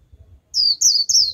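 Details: Japanese white-eye lure bird singing 'líu' to attract wild birds: three quick, very high, thin notes, each sliding downward, with faint low rumble beneath.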